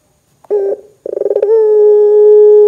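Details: Barbary dove, a keen 'gacor' caller, cooing to prompt other doves: a short burst, a pause, then a fast pulsed roll that settles into a long, smooth, low coo held to the end.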